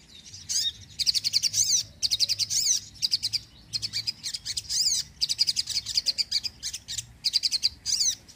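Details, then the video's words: Sogon in full, vigorous song, used to attract birds and stimulate lazy birds to sing: long runs of high, fast, chattering and rattling trills repeated in dense bursts with only brief gaps. "sogon gacor penarik burung bahan & malas bunyi"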